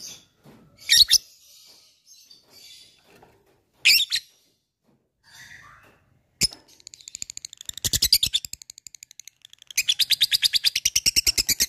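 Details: Labet bird calling an opponent, described as a vocal fighter in ngetik and ngekek style; scattered clicks and scraping noises, then bursts of rapid, high, evenly pulsed chattering trills filling the last seconds.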